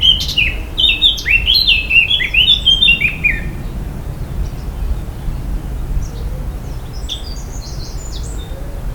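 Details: In a Polish forest, a Eurasian Blackcap sings a three-second burst of clear, fluty, high whistled notes that rise and fall, then a few fainter high notes, over a low steady rumble.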